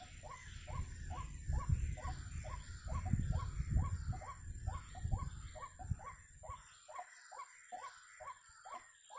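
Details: White-breasted waterhen calling near a bird trap: a long even chain of harsh arched notes, several per second, first over strong low rumbling, then clearer as the noise drops away.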